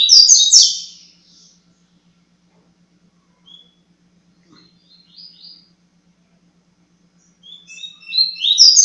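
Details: Coleiro (Double-collared Seedeater) singing the tui tui zero zero song style: bursts of bright, high chirping twitter at the start and end, a few soft faint notes in the quiet middle, and a steady low electrical hum throughout.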